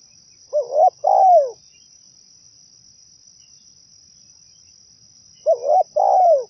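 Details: Zebra dove song played to lure other doves: a pair of soft rolling cooing phrases separated by a long silent gap, each ending in a drawn-out downward-sliding coo, with a faint constant high-pitched hum.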